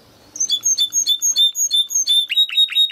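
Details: Timbrado canary sings a training phrase: after a faint start, clear high notes repeat rhythmically, roughly four per second, each with a ringing overtone, ending in a few fuller chirps.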